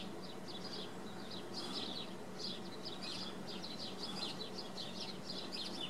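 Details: Continuous high chirping and twittering from swallows at Wicken Fen, rapid short notes in overlapping groups, over a steady low background rumble.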